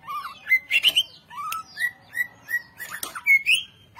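A Greater Green Leafbird sings a rich, varied run of clear whistled notes and rising slurs, with short buzzy chips between phrases, delivered at a quick, even pace.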